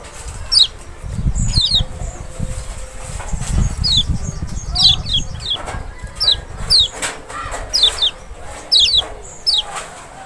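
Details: A lemon-bellied white-eye, Zosterops chloris maxi from Lombok or Sumbawa, is recorded to goad a reluctant bird into singing: repeated sharp descending notes, often paired, over low rumbling and flapping noise.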